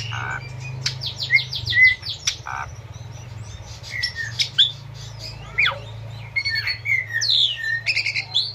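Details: Asian pied starling song for captive birds to learn, set over running river water: a quick series of rising chirps, then whistles, rasping notes and clicks, with a continuous low rushing hum.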